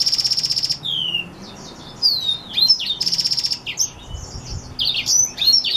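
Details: Black-throated x Reichenow's seedeater hybrid delivering a lively song: high pulsed trills alternating with quick slurred whistles and sweet twittering phrases, the trill returning midway, all loud and close.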